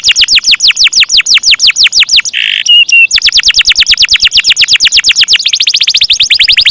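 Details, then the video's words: Canary in strong 'gacor' song with long rolls: fast strings of downward-sweeping whistled notes, a brief buzzy burst and two sharp chips mid-phrase, then rolls resuming and quickening toward the end. "KENARI KOLABORASI GACOR NGEROLL PANJANG"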